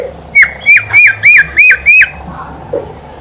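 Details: Horsfield's babbler song, used as a lure to prompt other birds to sing: six loud, clear whistled notes, each rising and then dropping, evenly repeated about three per second. A faint low hum sits under them.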